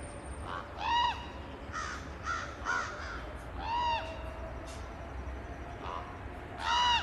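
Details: Crows trading calls with a young raven in a short exchange: loud, hoarse, arched caws about every three seconds, with softer answering calls between them over a steady low background rumble.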